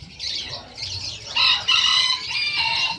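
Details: Sunbird, locally called kolibri ninja, a national champion songbird kept as a tutor bird, sings a rapid, high twittering chatter that grows louder midway into bright, buzzy trilled phrases.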